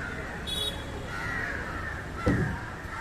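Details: Indian jungle crow calling while feeding on fish, a harsh, drawn-out cawing band running through most of the short stretch, with a brief higher squeak early on and low background rumble.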